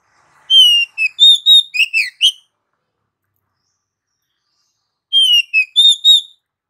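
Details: Oriental magpie-robin repeating a phrase of about six whistled and chirped notes, rising and falling, heard twice with a long silence between.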